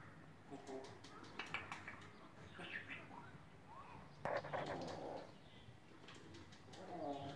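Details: A female grey parrot babbles nonsense to people on a farm in speech-like phrases, with rapid, varied syllables, whistled rises and short cooing sounds, in a small indoor space.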